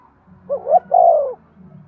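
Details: A single spotted dove coo used to stimulate breeding: two quick, soft lead-in notes, then a drawn-out, mellow, slightly descending coo, with a faint low background hum.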